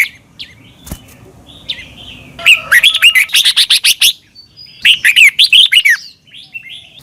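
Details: Thai Red-whiskered bulbul song used to train caged birds: a dense run of rapid, sharp whistled notes followed by a second chirpy, warbling phrase, with faint softer chirps in the background.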